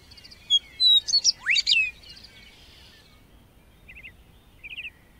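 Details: Lark song from open grassland: a loud burst of jumbled, varied high chirps and slurs lasting about a second, then a pause followed by short, quiet buzzy trills.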